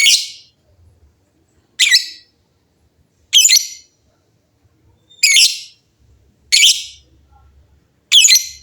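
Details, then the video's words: Noisy lovebirds answering one another. Short, harsh, scratchy bursts recur at intervals of about one and a half seconds, with quiet gaps between phrases. "LOVEBIRD GACOR GAYA MEWAH SEMUA LOVEBIRD JADI BUNYI RIBUT BERSAUTAN"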